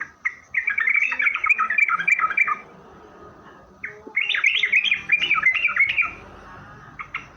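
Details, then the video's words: Sooty-headed bulbul singing nonstop as a lure to make other bulbuls answer: two long bursts of rapid, bubbly chattering notes, separated by a short pause, with a few single notes at the end. "suara Trucukan gacor gaja Pikat ini Rajanya bikin nyaut trucuk"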